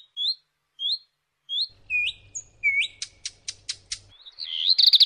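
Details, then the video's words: A redstart gives short, rising, whistled 'hweet' notes about once a second, then a run of dry ticking clicks and a final buzzy chatter. "صوت طائر الحميراء// phoenicurus bird sound"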